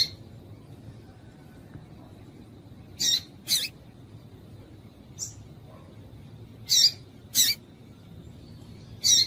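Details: Female double-collared seedeater call used to excite males: after quiet, high chips arrive in pairs and singles, some slightly downslurred, over a constant low hum.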